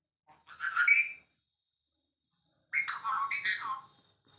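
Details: Pet Alexandrine parakeet talking in India: two short raspy speech-like bursts of about a second each, separated by silence, the second more varied with several rising and falling syllables.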